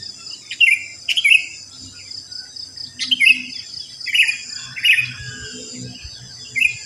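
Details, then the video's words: ['Sooty-headed bulbuls singing after dawn in a residential area where many gather: short, rich whistled notes repeated roughly every second, over a constant thin high insect-like drone and faint low background noise.'] "Pancingan Ampuh untuk Terapi Burung Kutilang Malas Bunyi"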